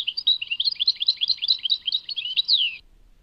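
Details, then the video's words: A goldfinch of Tadmait gives a continuous scratchy, tinkling twitter lasting nearly three seconds, closing with a clear downward-sliding whistle, then quiet. "Chant chardonneret Tadmait"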